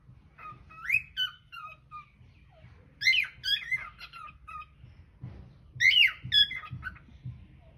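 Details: Cockatiel singing in a small room, caught on hidden camera; rising then descending whistled phrases come in three bursts, with soft tapping and low thuds between.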